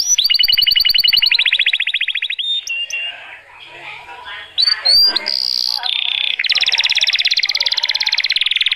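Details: Male canary singing to stimulate females for breeding and tutor young birds: a loud, high, rapid rolling trill, then bright whistled notes, rattles and another long fast roll.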